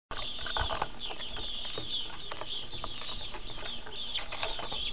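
Lesser redpoll: dry, rattling ticks and chattering notes over a steady high buzzy twitter, with some low rumbling noise underneath.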